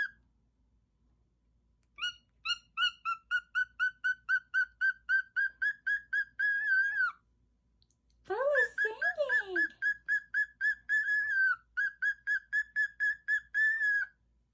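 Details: Pet parrot singing in a room: long trains of quick, clipped, tonal notes, about four per second, broken by a pause and a burst of harsher, descending squawky sweeps before the rapid notes resume.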